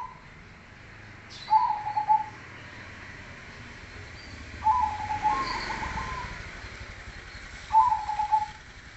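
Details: Zebra dove, known locally as perkutut, of the cemani kolbuntet type, singing (manggung) in a bass voice: a low, rolling cooing phrase about a second long, repeated roughly every three seconds over a steady background hiss.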